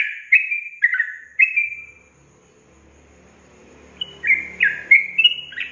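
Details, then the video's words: Sooty-headed bulbul lure song for coaxing caged young birds into singing: three falling whistles, about two seconds of quiet with a faint low rumble, then a renewed quick burst of slurred, descending whistled notes. "Pancingan Trucukan SUSAH BUNYI, BAKALAN dijamin dalam menit saja langsung NYAUT GACOR"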